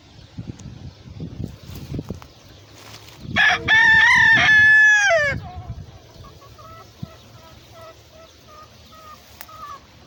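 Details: A rooster beneath a pomegranate tree gives one loud crow of about two seconds: a rough opening, a long held note, then a falling end. Hens feeding on grass nearby cluck softly and repeatedly afterward, with birds singing.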